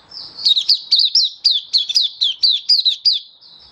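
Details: Mata puteh, the oriental white-eye, kept as a hobby bird, recorded 24 February 2023 in happy open song: a rapid run of about a dozen high, slurred chirps, each with a bright upward flick, delivered evenly in under four seconds.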